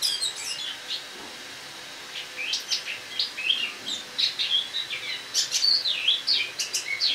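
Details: Autumn song of a caged Eurasian blackcap brought indoors for winter, recorded on the morning of 1 October 2017: bursts of fast, high twittering and chattering notes separated by a brief quiet gap, with some clearer whistled phrases.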